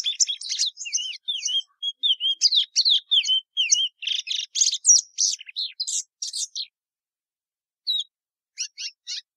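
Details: Sporophila plumbea song of rapid alternating whistled slurs and buzzy chirps, roughly three notes per second, ending with a pause and a few scattered high notes.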